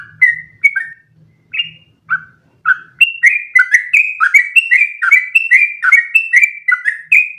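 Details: Sooty-headed bulbul song for training other birds to sing long continuous phrases: a few spaced whistled notes over a low hum, then from three seconds a rapid, unbroken run of chirps alternating in pitch.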